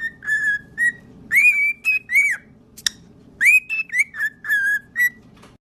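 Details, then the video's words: Parrot whistling a song of clear bright notes, some flat and held, others rising then falling, in quick runs separated by pauses, with a sharp click midway and a soft hum underneath. "Singing Parrot"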